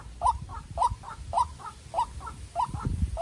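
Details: In a calling fight between a young decoy White-breasted waterhen and a wild bird, crisp doubled croaks repeat nearly twice a second, with a little low rustling near the end.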